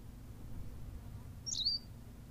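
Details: A single quick, high, slurred chirp from a Berthelot's pipit, recorded on La Gomera in the Canary Islands, against a faint low hum.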